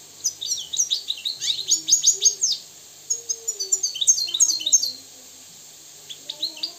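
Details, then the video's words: Moroccan European goldfinch, said to be free and purebred, delivering two rapid twittering phrases of sharp high chirps and trills, followed by a quiet pause and a few soft closing notes. "استمع واستمتع الى طائر الحسون المغربي الحر الاصيل"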